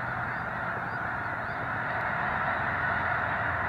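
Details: Several thousand snow geese on Squaw Creek National Wildlife Refuge, Missouri, during a controlled burn on a clear day with a light breeze; a dense, unbroken chorus of overlapping honking calls with no gaps.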